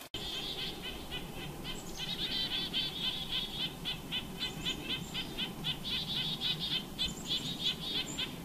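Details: Chickadees and nuthatches on Ontario Crown Land woods, extremely worked up and swooping at the ground, give alarm scolding in rapid, high, buzzy notes several times a second, a steady agitated chatter over low background rumble.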